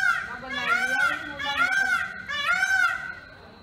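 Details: Indian peafowl on a pole giving three loud, nasal, wailing calls, each an arched note rising then falling, about one every second, with rich harmonics over a faint steady background hum.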